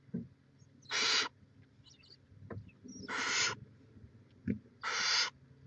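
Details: Barn owl nest, Chula Vista, California, 18 May 2017: three broad, rasping hisses about a third of a second long, spaced roughly two seconds apart, with soft knocks between.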